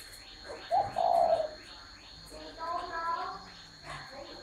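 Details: Spotted dove cooing with a short lead-in note, then a drawn-out, gently falling hoot. Later, fainter harmonic sounds like voices follow over a constant background hum.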